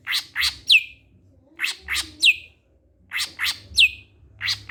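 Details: Greater green leafbird singing as a lure for others of its kind: pairs and triplets of high chirps, each group closing with a clear, down-slurred whistle, repeated roughly every one and a half seconds.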